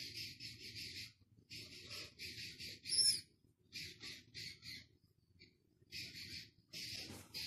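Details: Six-day-old Philippine scops owl chick at Zoo Praha, 13 August, gives harsh, hissing rasps, each about half a second long, in quick runs with brief pauses, over a low background rumble.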